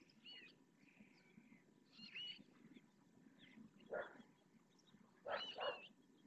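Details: Western swamphen parents at Riet Vell reserve, Ebro Delta, calling three chicks to feed: short nasal, honking squawks in two loud bursts, with thin high begging peeps from the chicks scattered between them.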